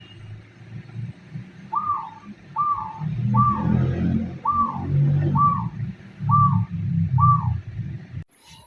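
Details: A dove (tukmo) calls with seven short, hollow, slightly rising-then-falling notes, about one every second, over a steady low rumble of traffic or engine noise.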